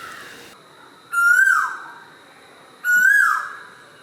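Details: Asian koel near a house, heard early morning from a rooftop terrace during lockdown, gives two loud, clear whistled notes that swoop up then dip, spaced under two seconds apart, over a faint steady high insect hum.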